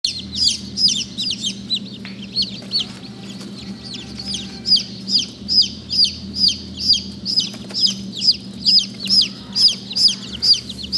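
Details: Black Langshan baby chicks at a hatchery peep steadily. The high, short, down-slurred cheeps come about twice a second over a constant low mechanical hum.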